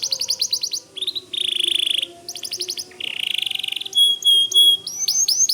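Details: Vigorous white canary song made of changing tours: fast buzzy trills, a steady rattling roll, then pure whistled notes and rising sweeps.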